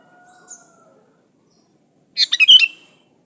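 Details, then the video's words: Sooty-headed bulbul in full voice, a pure recording without other birds' songs mixed in, used to lure other bulbuls into singing: faint thin whistles, then one loud bubbly phrase of quick chirped notes near the end. "Suara burung kutilang gacor Asli tanpa isian Ampuh buat pancingan kutilang gacor"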